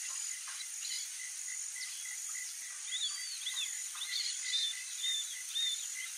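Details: A young Roadside hawk pleads for food from its parents with brief high arched squeaks, scattered at first and then in a tighter run of three near the end, against a steady buzzing insect background.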